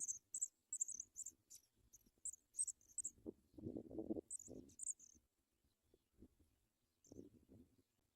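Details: Paddyfield pipit nestlings fed by a parent: a few seconds of sharp, high squeaky begging notes, then mostly rustling and scuffling of movement in the nest with only a couple more squeaks.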